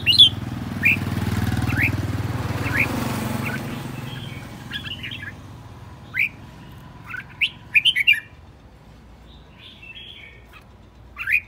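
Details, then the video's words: Red-whiskered bulbul kept as a decoy, agitated and spinning, delivers scattered short whistled and chirping notes, some in quick clusters, with pauses between; a broad rushing noise dominates the first few seconds. "Chào mào mồi hót cực hay, hung hăng quay cuồng"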